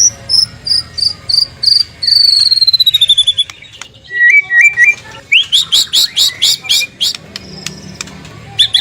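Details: Morning lure song from a white-rumped shama, used so other shamas answer: a row of high whistled notes, a long falling whistle, a quick stepped whistle, then bursts of sharp, very high chattering notes.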